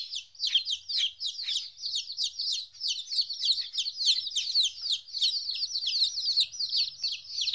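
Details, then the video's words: A group of two-week-old chickens, newly parted from their mother, utters quick, piercing peeps in an unbroken run, over a faint low rumble. "Chicks Chirping Sounds - Baby Chicken Sounds"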